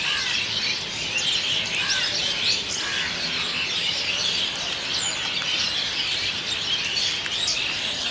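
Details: Asian Pied Starlings gathering in a big noisy flock to roost for the evening at Kolkata, India; a dense, continuous wash of overlapping high chirps, squeaks and whistles with no pause throughout.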